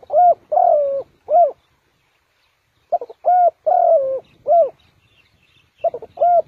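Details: Spotted dove used as a decoy to lure birds into a trap, giving deep, hollow coos in short irregular bursts of two to three notes, some drawn out and falling, separated by a pause of nearly two seconds.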